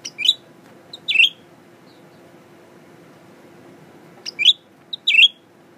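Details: Male Blue-winged Leafbird, tame new cage bird, sings while facing a mirror: four clipped high phrases in two pairs, each a quick chip and slurred warble, separated by a three-second pause in a quiet room.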